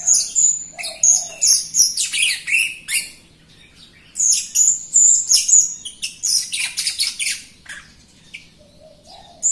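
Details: Jalak Rio myna in vigorous song, meant to spur lazy or group-kept Rio birds to sing; bright high whistles and chattering chirps tumble in quick runs, a quieter stretch midway, then more rapid chirping.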